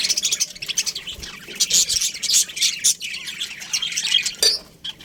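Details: Budgerigars in a colony chirping together: a dense, continuous mix of high, scratchy chirps and warbling notes with frequent louder squeaks and little pause.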